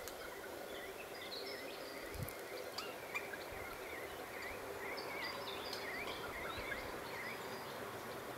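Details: Regent honeyeater, one of 19 staying April–May 2010 in roadside frontage trees at Milbrodale, Hunter Valley NSW, amid ironbark blossom, mostly taking lerp from foliage, gives short, twangy, dipping notes two or three a second over steady hiss.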